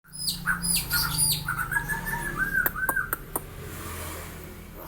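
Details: White-eyed black-winged myna said to cough and talk: harsh squawks and rasping bursts with bent whistled tones, irregular and busy for about three seconds, then quieter room hum.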